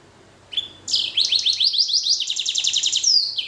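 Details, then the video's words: Blackthroat and canary cross singing: a short whistle, then a long rapid trill of buzzy, repeated high notes, about three per second or faster, ending in a rising sweep. "Blacken Gacor Warna Unik Sekali | Blackthrout x Kenari"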